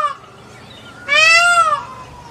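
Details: A single loud, drawn-out peacock cry, nasal and harmonic-rich, rising then easing down over about three quarters of a second, with a fainter trailing tone and low background hum.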